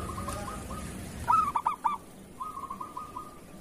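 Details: Local zebra dove in kerot-style song, a master recording for doves that sing little: a level dotted trill leads into three loud stuttering coos, then a softer trill resumes.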